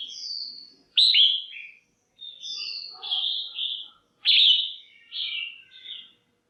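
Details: Caged female red-whiskered bulbul calling to stimulate males: three clear phrases of loud, slurred, warbling whistles, each opening with a sharp upward note then descending, separated by short silences.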